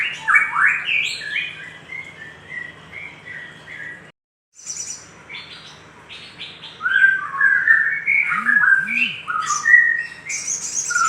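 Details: Lure recording of a lively little spiderhunter, used to stir other birds: dense rapid chirps and swooping whistled notes, a brief silent break midway, then more excited twittering with two short low arched notes near the end and a faint low hum.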